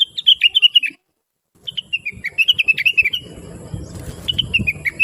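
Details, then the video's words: Talkative, melodious blue-winged leafbird, offered as a training recording for other birds. Rapid, sweet, descending chirp series break off into a brief silence, then resume over a low rustling noise. "Rengganis / Cucak Wilis Gacor Cerewet Suara Merdu"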